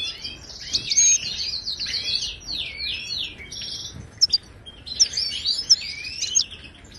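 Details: Moroccan goldfinch song played to encourage caged birds: looping, slurred whistled twitters in two long phrases separated by a brief gap.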